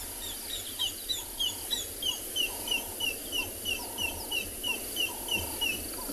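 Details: An African grey hornbill on a morning safari drive in a South African game reserve, 14 March 2021, gives a quick series of thin, down-slurred whistles, about three a second, over a steady high hiss of insects.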